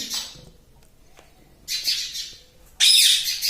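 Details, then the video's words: Pet talking parrot indoors, called a mummy-saying parrot; harsh, noisy, high squawks in three bursts, the loudest and longest at the end, with no tonal notes. "Talking Like a Human - Mummy Bolne Wala Tota - Talking Parrot"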